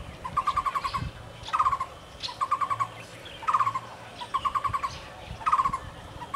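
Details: Muller's barbet at Kenting, Taiwan, giving short bursts of five or six quick, hollow, evenly pitched notes, a burst about every second, with a faint higher bird call and low background hum.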